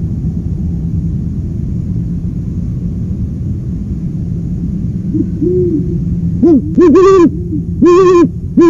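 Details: Owl hooting: soft low hoots build up, then louder, rougher harmonic-rich hoots come in bursts near the end over constant low background rumble.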